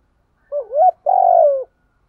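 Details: Spotted dove song used as a lure voice to stimulate birds in training: a short wavering coo rising into a clipped note, then a longer, steady, slightly falling coo, clean and close with no background sound.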